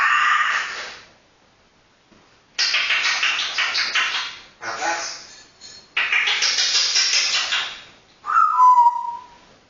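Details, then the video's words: African grey parrot mimics speech in bursts of breathy, hissy, speech-like sounds with pauses between, ending in a clear falling whistle. "african grey parrot talking"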